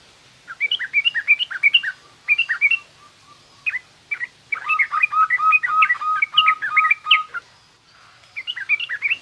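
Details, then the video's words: Yellow-vented bulbul in garuda and rough ngriwik song styles, played for young birds learning to sing: dense bursts of fast chirping phrases over repeated slurred notes, with short pauses between bursts. "suara burung trucukan garuda lanjut trucukan ngriwik kasar ini pas tuk terapi trucuk muda ajar bunyi"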